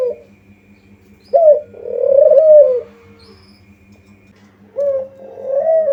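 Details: Spotted dove lure call: a short coo then a long drawn coo, a pause of about two seconds, then another short coo and a rising longer note, faint hum throughout.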